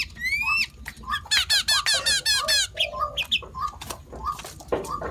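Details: Sooty-headed bulbul, locally called nok taet, said to mimic more than five bird species: a fast burst of rising, slurred whistled notes, then scattered short chirps while a low, steady note repeats underneath.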